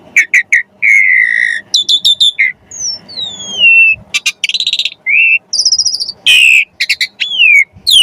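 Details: Javan pied starling song used as training material for songbirds: sharp chips and steady whistles, long gliding descending notes, rapid trills and a harsh burst, all loud and varied.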